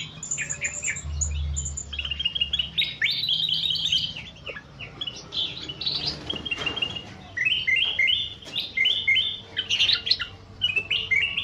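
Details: Caged bulbul in an evening aviary giving strings of bright, quick chirped notes in short bursts, with brief pauses between phrases and a low hum in the background.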